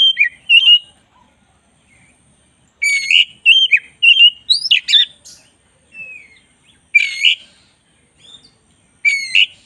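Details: White-rumped shama, black-breasted form, singing busily for master training: repeated bursts of loud whistles mixed with sharp, chattering trills and quick slurred notes, coming in clusters with brief pauses between them.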